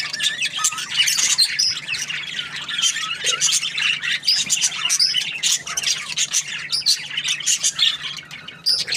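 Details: A happy budgie chirps on and on in a continuous stream of high, warbling chatter. Squeaky squawks and quick twittering notes rise and fall without a break.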